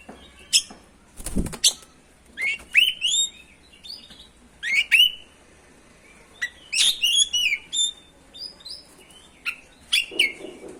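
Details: Oriental magpie-robin song meant to provoke other birds into singing; rapid whistled phrases and chattering notes with pauses, plus a brief low thump near the start.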